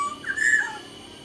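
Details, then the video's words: Black-naped oriole, kepodang sumbawa, kept caged as a songbird: a single fluting whistle rising then holding level, brief and clear over a faint background hum. "suara burung kepodang sumbawa GACOR DOR"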